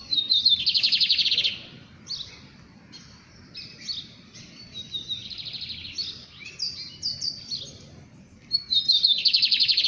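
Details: Lined seedeater (bigodeiro) song: a loud buzzy trill at the start, a run of varied short chirps and warbled phrases in the middle, then another rapid buzzy trill at the end.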